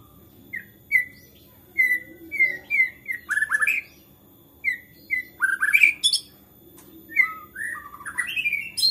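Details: Excited white-rumped shama singing to draw other shamas into song: evenly spaced clear whistled notes interrupted by harsh buzzy bursts and rising slurs.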